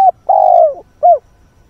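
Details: Decoy spotted dove cooing in the early morning to attract wild birds: a clipped note, a long level coo falling away at its end, then a short soft coo, with no other sounds.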